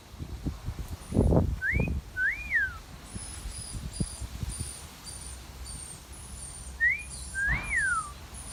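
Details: Pet parrot outdoors in a garden giving two wolf whistles, each a rising note followed by a swooping rise-and-fall whistle. Loud low thumps and knocks sound beneath them, along with faint high chirps.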